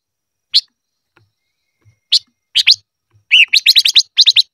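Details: 'Ché' style song from a silver-eared mesia for voice training: isolated high chirps, then a rapid burst of clipped notes opening with a lower slurred one.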